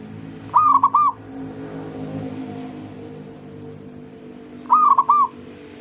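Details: Zebra dove singing to get other doves to join in: two rapid warbling coo phrases about four seconds apart, over a steady low mechanical hum.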